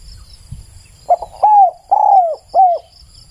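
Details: Spotted dove cooing: a short opening note followed by three drawn-out, arched coos at a steady mid pitch, each sagging slightly at the end, all within about two seconds; a faint high insect hum and low background rumble.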